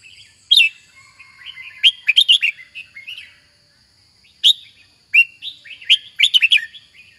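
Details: Captive red-whiskered bulbul kept for song: bright, sharp whistled phrases in short bursts with pauses between, over a faint steady high hum.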